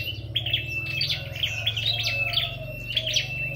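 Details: High, clipped chirping phrases from a red-headed flowerpecker singing in a contest, about five short bursts over a thin whistle, partly masked by a steady low droning hum.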